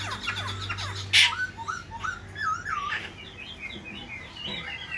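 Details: Captive black-throated laughingthrush displaying with fanned wings and tail as it sings; clear whistled slurs, some rising and some falling, come in quick succession after a sharp burst of noise, over a steady low hum.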